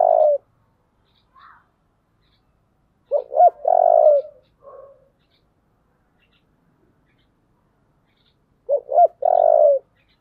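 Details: Spotted dove with a 'giọng thổ' voice cooing fiercely in fighting mode. Repeated phrases of two short hooked notes and a long, steady coo come about every five to six seconds. Brief soft chirps sound in the gaps.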